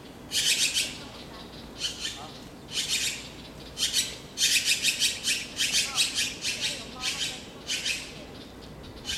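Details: Taiwan blue magpie during the breeding season, late April to late May 2013, while incubating, feeding young and guarding a fledgling fallen below the tree: loud, harsh, raspy squawks in bursts, often several in quick succession, with short pauses between.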